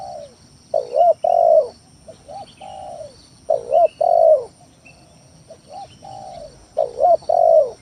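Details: Spotted dove lure song to make rivals call: three phrases, each soft introductory coos followed by a wavering double coo and a long mellow coo, with faint high bird chirps and hum.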